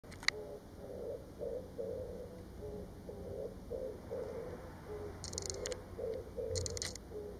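An Oriental turtle dove gives low, husky coos in a steady, unbroken run, about two or three notes a second, with a few brief rustling bursts near the end.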